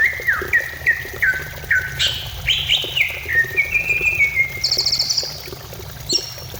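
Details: Greater green leafbird song meant to encourage a bird to sing: a string of dropping whistles, then rising and sweeping notes, a long level whistle and a high rapid trill near the end.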